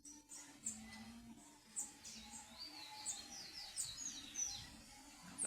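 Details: Double-collared seedeater singing: quick series of high, thin chirps and short rising and falling twittering notes, repeated in bursts about every second, over a steady low hum and faint background noise.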